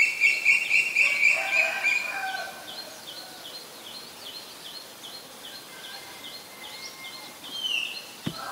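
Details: Black-collared starling, Ubon Ratchathani, Thailand, April 17, 2022: a quick string of bright, squeaky chattering notes for about two seconds, then fainter notes, backed by a continuous series of thin, high, repeated chirps.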